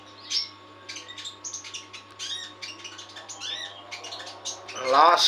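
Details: Trotol, a kept songbird fed nectar, singing lively bursts of sharp high chirps and twittering notes, ending in a loud harsh rustling or fluttering sound.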